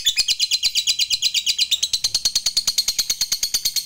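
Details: Agitated lovebird answering a lure recording with long chattering: a rapid, steady stream of shrill chirping notes, several per second, holding a high pitch throughout, with faint low ticking beneath.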